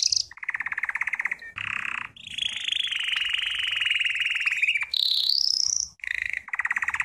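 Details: Belgian canary training song of varied trills: low rapid rattles, a long level rolling tour, a rising sweep, then more fast pulsed rattles.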